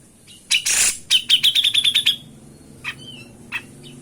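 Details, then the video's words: Grey-cheeked bulbul sound used as a loud lure to prompt birds that are reluctant to sing: two harsh bursts, then a fast even run of about ten sharp clicking notes, with a few faint chirps after. "𝙋𝘼𝙉𝘾𝙄𝙉𝙂𝘼𝙉 𝙅𝙀𝙉𝙂𝙂𝙊𝙏 𝙈𝘼𝙇𝘼𝙎 𝘽𝙐𝙉𝙔𝙄 𝙑𝙊𝙇 𝙆𝙀𝙍𝘼𝙎"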